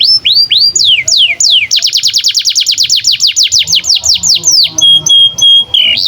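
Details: Canary song played to train young canaries and get silent ones singing: rising whistles, falling sweeps, then a fast rolling trill of descending notes ending in a steady high whistled tone.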